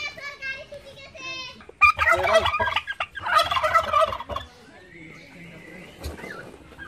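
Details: Male turkey (Meleagris gallopavo) gobbling while attacking people: an opening nasal, harmonic call, then a rapid, rattling, bubbling burst of about two seconds, then a second burst.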